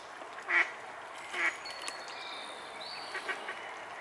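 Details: Mute swan cygnets: two loud, high, slightly wavering peeps about a second apart, followed by quieter thin whistles and soft clicks.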